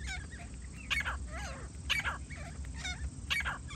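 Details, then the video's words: Grey francolin calling during a partridge hunt: dense, harsh bursts of overlapping wavering notes roughly once per second, with a strong low rumble throughout. "teetar awaaz"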